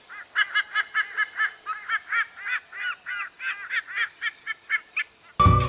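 A White-bellied Sea Eagle gives a long series of loud, goose-like honking notes, about four a second, ending in a sudden burst of noise.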